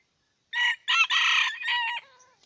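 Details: Red junglefowl from Aceh crowing: a loud, clipped, four-part crow of rich harmonic notes, with the last syllable trailing off into a falling tail, against near silence.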